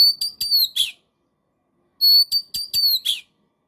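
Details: Kacer or white-rumped shama whistling two short phrases about a second apart, each a run of bright high whistles ending in a harsh falling chip, used to prompt a silent caged bird to sing.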